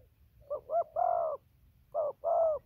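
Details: Spotted dove cooing from a tree down to the ground: a short rising hoot leading into a longer steady coo, then a pause and a two-note coo, soft and mid-pitched, in quiet surroundings.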